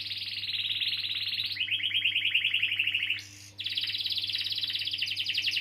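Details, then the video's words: Canary rolling song used as a lure for young or non-singing canaries: long continuous rapid trills shifting down in pitch, a short break, then another fast high trill running on without pause. "Kenari Gacor Ngeroll panjang || Pancingan Kenari paud atau macet bunyi"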